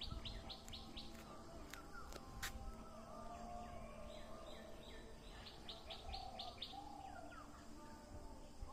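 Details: Birds chirping in a leafy village setting in Assam, India: short bursts of quick high repeated chips at the start and again midway, mixed with scattered twitters, a few sharp clicks and a low background hum.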